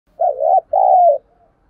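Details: Spotted dove decoy bird calling energetically to provoke wild doves: a low, mellow two-part coo, the first phrase wavering and the second longer and sliding downward, over a quiet background.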